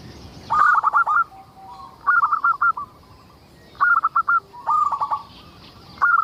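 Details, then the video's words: Frequently singing local zebra dove, played to draw other zebra doves into song: five rapid stuttering coo phrases in quick succession, each a burst of soft rolling pulses, faint high bird calls behind. "Suara indah perkutut lokal gacor untuk pancingan"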